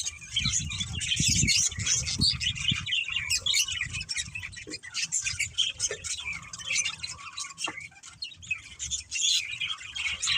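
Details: Budgerigars chirping: a dense, continuous chatter of high warbles and squeaky notes, with several birds overlapping and soft low thumps underneath through the first two seconds.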